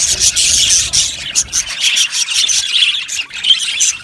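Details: Aviary flock of budgies chirping together, a loud high-pitched wash of rapid squeaky notes and warbles without pause, a few sharper whistled chirps standing out near the end.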